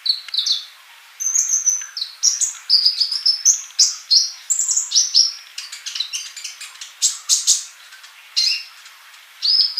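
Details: Lively sunbird singing: fast runs of high twittering notes, whistled slides and sharp clicks, varied and almost unbroken across ten seconds.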